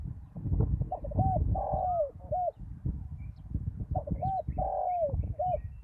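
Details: Spotted dove used as a ground-level decoy after a storm, calling to lure wild doves: two series of mellow, hollow coos, each a short note, a longer falling drawn-out coo and a clipped final note, over heavy low rumbling noise.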